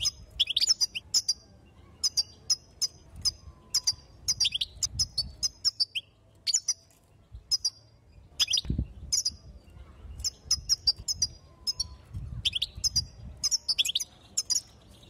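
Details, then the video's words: Female European goldfinch giving excitement calls to prepare males: long series of bright, high, tinkling chirps in rapid clusters separated by short gaps, steady and insistent throughout, over a faint low hum. "ستسته أنثى الحسون ستوقظ النار في الحسون | ستسته لتهييج الحسون وتجهيز الذكور"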